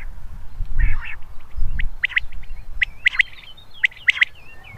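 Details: Natural calls of a common quail, a ground-dwelling bird that hides in crops: a series of sharp, clipped notes in short groups, with low rumbling noise and faint chirps from other birds behind.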